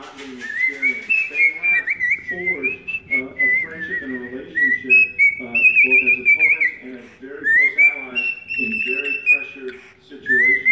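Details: Indoor pet cockatiel serenading someone's foot, giving a stream of whistled notes that glide upward and hold, broken by quick warbles and pauses, while a person speaks quietly underneath throughout.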